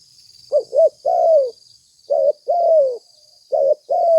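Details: Spotted dove, recorded as a lure for catching birds, giving mellow coos: paired short notes leading into a long falling coo, repeated three times in quick succession over a continuous thin high tone.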